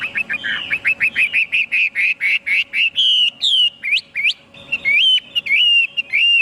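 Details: Chinese hwamei delivering a fast series of short, bright whistled notes, repeated at an even pace, then sharp upward-sweeping whistles and looping warbled phrases.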